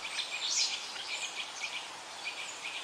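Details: Birds at a river sing in a busy stream of short, high, sharp chirps and trills, repeated several times a second with brief brighter notes near the start, all over an unbroken rushing hiss of water.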